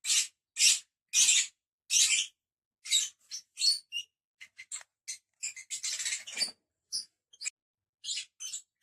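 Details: Lovebirds giving shrill, high chirps. The first calls are longer and evenly spaced, then the chirps turn into a rapid, irregular chatter of short sharp notes, with a dense cluster near the middle and no other sounds.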